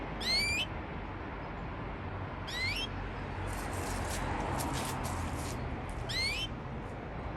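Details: Rising, upswept high call notes from a pair of Parisian Frill canaries, spaced about two seconds apart, with a burst of scratchy high-pitched rustling between them and constant background hiss.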